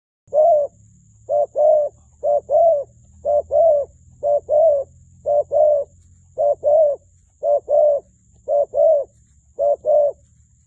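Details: Spotted dove calling: soft, low cooing notes in close pairs, repeated steadily about once a second with short gaps, over a faint low hum.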